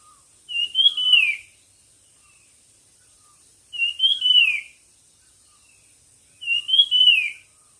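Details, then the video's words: Song-competition bird repeats the same bright whistled phrase three times at intervals of roughly three seconds. Each phrase rises slightly, then slurs downward, over a thin constant high whine. "suab noog quaj dib tuaj zoo 100% chim hót đấu"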